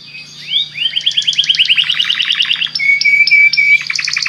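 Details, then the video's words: Belgian canary song for stimulating other canaries: a rising sweep opens a rapid run of repeated chirping notes, followed by a flat sustained whistle and a burst of quick high trills. "O canto do canário belga faz com que seu canário cante sem parar"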